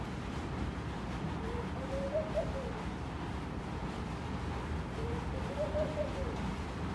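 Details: Laughing dove (Spilopelia senegalensis) at a bedroom window gives two soft, bubbling cooing phrases about three seconds apart, each lifting slightly then falling, while being talked to, over a steady low rumble of wind or distant traffic.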